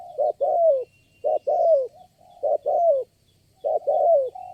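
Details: Spotted dove calling during lure-bird trapping, a single very responsive wild bird: four strong phrases, each a clipped coo followed by a drawn-out descending coo, separated by near-silent gaps.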